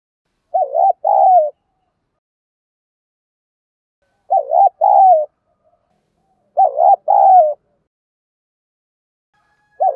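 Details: Kept spotted dove training call: three two-part coo phrases spread over several seconds, a quick dip-shaped note and a longer descending coo, with the start of a fourth at the end and a quiet background.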